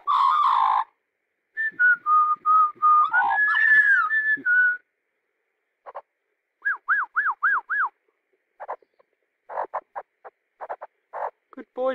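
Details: Nine-month-old pet Australian magpie on a pond stump. Harsh warbling opens into gliding whistled notes, then five quick arched whistles in a row, followed by scattered short clicking and chattering notes.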